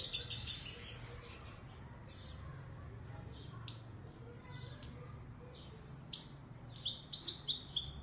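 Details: Moroccan Ouidani Marrakchi European goldfinch: a short burst of sparkling twitters opens, scattered thin chips and clicks follow through a quiet stretch, then a fresh flurry of high twittering notes closes.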